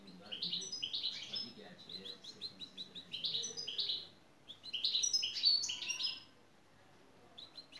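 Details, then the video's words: European goldfinch singing a fast, liquid twitter of high tinkling and buzzy notes in bursts of a few seconds, with brief pauses between phrases. "Saka kuşu güzel ötüm"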